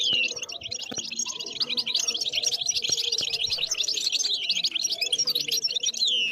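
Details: Wild European goldfinch singing: a dense, continuous high twittering of rapid chirps and trills, steady throughout, with a faint low hum underneath.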